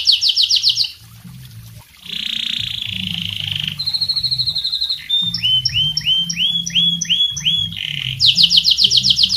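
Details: Tutor song from a canary for training other birds, moving through fast high trills, a long buzzy rolling passage, a rapid fine chatter, a run of rising swept whistles, and a closing burst of quick trilled notes.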